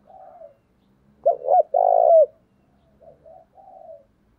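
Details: Spotted dove decoy cooing in the giọng thổ style, used as a lure to provoke wild doves: soft low opening coo, two sharp rising-falling notes, a long loud throbbing coo, then faint softer coos trailing off. Quiet background.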